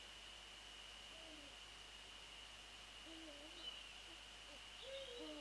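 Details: Eurasian eagle-owls, male and female, heard at dawn on 28 February 2014 around 6:28; a series of faint, low, slightly wavering hoots in pairs, with a few high thin bird notes and a steady high whine.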